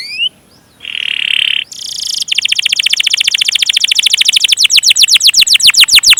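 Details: Canary delivering a long-roll gacor song: after a short steady buzzy tone, a rapid high trill starts softly and swells steadily louder, its notes becoming sharper, downward-slurred chips.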